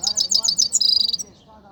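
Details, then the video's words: Himalayan goldfinch (saira) singing near Quetta: a quick series of about six bright, high twittering notes, then a sustained buzzy, rattling trill lasting about half a second before the song stops. "mast saira singing"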